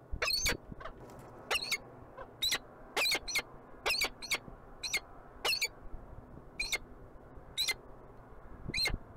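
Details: Peregrine falcon calling in Montreal, Canada: a long run of short, grating, scratchy notes, singly or in quick pairs, repeated irregularly every half second to second, with steady low city rumble beneath.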